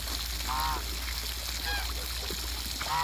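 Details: Muscovy ducks playing in water in a backyard; a few short, hoarse honking calls with rising-falling tone, spaced irregularly, over a steady low hum and background noise.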